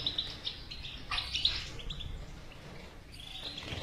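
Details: Goldfinch bitbita for stimulating a silent goldfinch: a few bright chirps at the start, then a louder burst of high trilled notes around the middle, fading into quieter twitter over faint noise.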